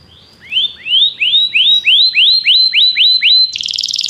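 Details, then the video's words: Belgian canary sings a series of about nine clear rising whistles, evenly spaced, ending in a harsh high buzzy trill. "canário belga cantando"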